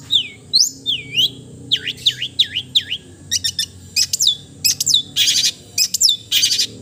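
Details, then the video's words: Long-tailed shrike (cendet) giving a melodious song of high whistled notes that swoop down and up. These give way to quick repeated chips and then harsh buzzy bursts, all delivered in rapid phrases with short pauses. "the melodious sound of the cendet bird"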